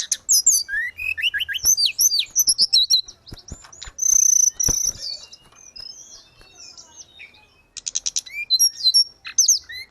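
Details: Grey-cheeked bulbul in lively full song, played as therapy and tutor audio for caged birds: fast high chirps, rising whistled slurs and rapid trills, a brief pause midway, then renewed bursts of sharp notes.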